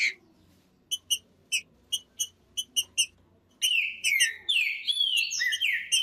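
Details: Trinca-ferro, the green-winged saltator, singing to warm up a cold bird: about two and a half seconds of crisp, regularly spaced chips, then a sudden loud flow of rich, slurred whistled phrases continuing to the end.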